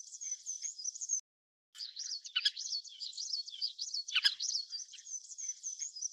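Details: Little curlews (Numenius minutus), likely several birds calling together, give high, thin whistled notes that overlap into a busy, continuous chatter, with a brief break partway through.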